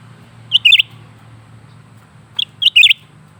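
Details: Two matching phrases from a lesser green leafbird singing nonstop: a clear high note, then a quick looping twittered flourish, repeated after about two seconds over faint low hum.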